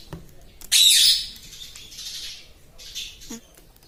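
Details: Pet talking parrot said to speak like a human; one loud, harsh, high squawk lasting about half a second, then faint hissing noise and a brief low blip.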